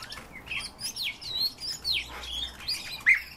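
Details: Common rosefinch, a kept bird, singing a run of clear slurred whistles that sweep up and down, spaced about half a second apart, ending in a sharper bright note, over a low steady background hum.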